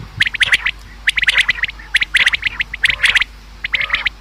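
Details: Common quail calls for hunting: dense, overlapping bursts of clipped high notes in threes, suggesting more than one caller, repeating rapidly with only short gaps.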